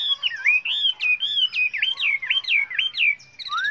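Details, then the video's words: Chinese hwamei delivering a varied, many-voiced song meant as a training model for other birds: a run of loud clear whistles, each swooping down then up, repeated in quick succession. "Luyện chú chim họa mi hót hay"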